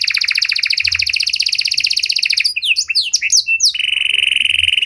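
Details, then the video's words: Panda canary singing ornate cengkok phrases intended to train and provoke other canaries: a long loud pulsing trill, a tumble of sharp varied chirps, then a steady buzzing roll. "Pancingan Suara Burung Kenari Panda Cengkok Mewah! Ampuh Buat Memancing Maupun Melatih Kenari Lain"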